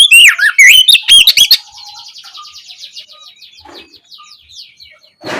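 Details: Oriental magpie-robin in full open song in the evening, used as a lure to stimulate other birds to answer: loud, rich whistled and chattering phrases with sweeping notes for about one and a half seconds, followed by faint scratchy trailing notes.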